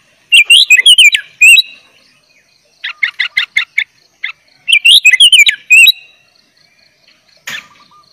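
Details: Sooty-headed bulbul gacor full isian song for young birds to learn: a bubbling burst of wavering whistles, a row of short sharp chirps, another warbled phrase, then quiet with one last faint note.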